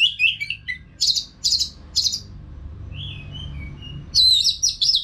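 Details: Orange-headed thrush in continuous song, used to train caged birds: fast whistled and slurred notes near the top of the range, a pause, then a softer trailing phrase and a bright rapid burst at the end, with low hum beneath.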